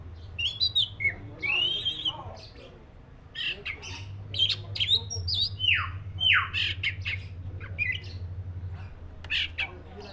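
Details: Black-breasted oriental magpie-robin mixing harsh squawky notes with clear whistles, including two long falling slurred whistles near the middle, above a constant low droning hum.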